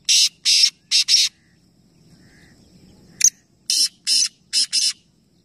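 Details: Black francolins in a three-bird calling competition, Nawabshah, Pakistan, repeat their call twice: four harsh, rasping notes, a pause with low murmur, then a click and four more grating buzzes.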